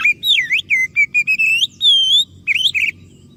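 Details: Oriental magpie-robin singing so other birds will answer: quick looping whistles, short evenly spaced notes, a long arched whistle, then a brief twisting flourish.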